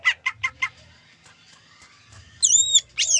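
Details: Greater green leafbird singing with reported zebra dove imitation: four quick harsh notes, a quiet gap, then loud high swooping whistles that rise and fall.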